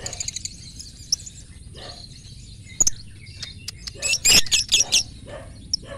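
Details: Lovebird singing in the 'konslet' style at a bird singing contest: sharp, high chirps and rapid chattering bursts that peak in the second half, with faint voices in the background.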